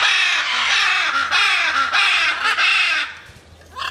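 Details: Flying macaws in free flight producing a loud, continuous, rasping screech lasting about three seconds, rough and throaty, then a short lull and the start of another call.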